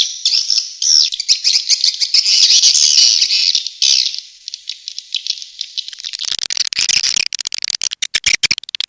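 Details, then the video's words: Tombak Raja swiftlet lure call, played to attract swiftlets: buzzy high twittering chatter for about four seconds, then a softer stretch giving way to rapid dry clicking rattles. "SUARA BURUNG WALET - TOMBAK RAJA"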